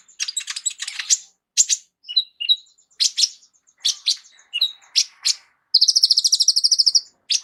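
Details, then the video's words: Kolibri ninja sunbird with a full repertoire for teaching other songbirds: clustered harsh chips and twitters, then a rapid, high buzzy rattle lasting over a second. "KOLIBRI NINJA MEWAH ISIAN LENGKAP COCOK JADI GURU VOKAL UNTUK BURUNG JAGOAN KALIAN"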